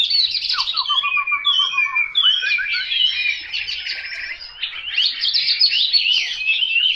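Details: Chinese hwamei pouring out a loud, fast, varied song: a descending run of quick whistled notes, then rich warbling and twittering phrases that continue without pause.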